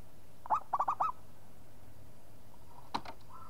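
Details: Zebra dove of the local type singing eagerly: one phrase of an opening coo then three rapid rolling coos, followed by a brief click and a faint sustained tone near the end.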